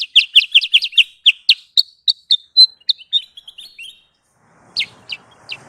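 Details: Lure song of the sooty-headed bulbul (kutilang sutra) for trapping birds: fast high chirps slow into spaced, slightly whistled notes, then stop. A few chirps return over faint noise.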